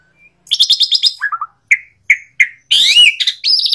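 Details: Asian pied starling with a quick chattering series, several short rising whistles, then a harsh buzzy note and a high trill.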